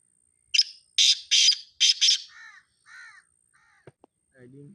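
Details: Partridge calling, tied by hashtag to Charsadda: a rhythmic series of loud, harsh, grating notes, five in quick succession. Softer scratchy sounds and a low voice-like murmur follow near the end.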